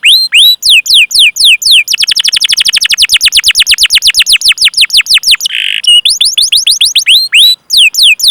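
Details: Long-singing canary used to stimulate young or silent birds: slurred whistled chirps, a fast rolling trill, a brief buzzy note, then more crisp downslurred chirps.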